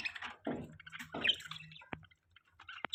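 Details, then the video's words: Chirping budgies while mating: scattered short high chirps and a few chattering bursts, with a low steady hum underneath and brief quiet gaps. "Beautiful budgies chirping sounds | Budgie chirping sound | budgies mating"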